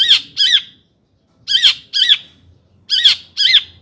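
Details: Long-tailed shrike sound meant to provoke shrikes: harsh scratchy double notes given in pairs, each pair separated by about a second of silence.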